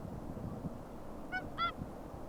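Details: Whooper Swans at Akureyri on 5 April 2020: two loud, nasal, trumpet-like honks close together near the end, the second stronger, over a steady low rumble of background noise.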